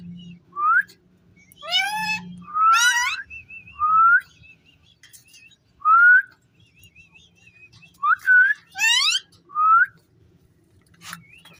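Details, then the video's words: Indian ringneck parrot kept in a cage, said to be talking: separate short whistled notes rise and bend, with a few louder harmonic calls near the start and end, spaced by quiet gaps and faint low background hum. "Gergeous parrot in one cage in amazing talking"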